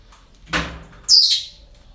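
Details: At a parrot breeding centre, a dull knock like a door or cage bang is followed half a second later by a loud, shrill, rasping parrot screech that fades quickly.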